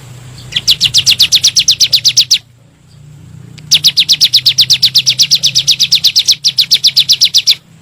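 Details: Bar-winged prinia in 'nembak' style, a lure for kept birds: a short run of high rapid chips, a pause of over a second, then a longer run broken once briefly, over a low background hum.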